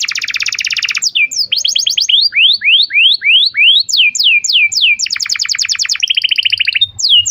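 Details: Canary singing prolifically, a training lure for young canaries and for birds that have stopped singing: a dense trill opens, followed by a series of rising then falling whistled slurs, more fast buzzy rattles and a final downsweep.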